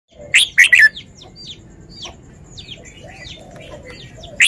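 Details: Red-whiskered bulbul showing its song phrasing: loud, bright three-note burst at the start, one more note at the end, with faint whistled notes from other birds in between.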